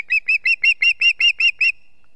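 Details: Osprey at its nest on a foggy day in Estonia, 2 September 2018, giving a quick series of nine clear, whistled chirps, evenly spaced and high-pitched, before falling silent.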